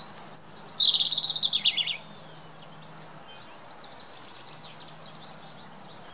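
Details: European robin song from the UK: a thin high note, then a fast rippling warbled trill dropping in pitch, followed by a long quiet pause with soft distant twitters and a low hum before another high note.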